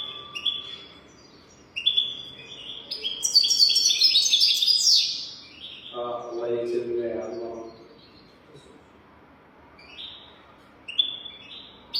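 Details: Goldfinch 'golden throat' song used as a tutor for young birds: scattered high chirps building into a loud, rapid twittering run, followed by a lower voice and then sparse chirps.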